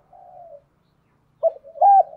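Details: Decoy spotted dove performing the 'gáy gọi hai hậu' call. A faint drawn-out low coo fades, a pause follows, then a sudden loud pair of short hooting notes, the second longer and flat-topped.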